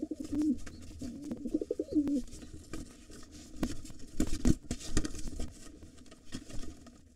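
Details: During a nest fight between wild pigeons, a gray intruder and the white father guarding two nestlings, a run of low coos fills the first two seconds, then wing claps and knocks follow.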